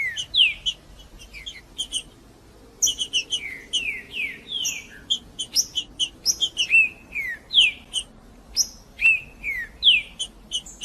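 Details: Male green-winged saltator in provoking song meant to rile a rival male: a lively stream of sharp high notes and clear descending whistled slurs, densely packed and repeated over about eleven seconds.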